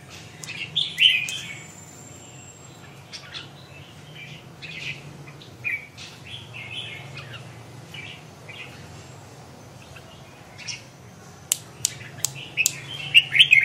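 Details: Red-whiskered bulbul giving scattered short warbled phrases and chirps with pauses between, over a low steady hum; sharp clicking sounds gather in the last two seconds.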